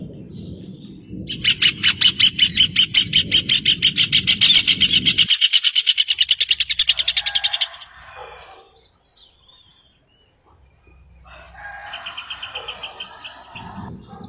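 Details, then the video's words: Rufous hornero giving a long, loud, fast series of shrill, evenly repeated notes for about six seconds, which then trails away, followed by softer chirping notes later on. "João de Barro Cantando"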